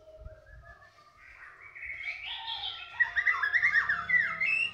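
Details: Captive young white-rumped shama, said to be a former contest bird, building from a soft drawn-out whistle into rising, increasingly loud warbled and chattering phrases with quick sharp notes, over a low background rumble.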